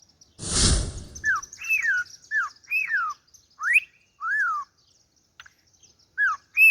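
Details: A harlequin cockatiel sings a lot, a string of clear whistled notes, each sliding up or arching down in pitch.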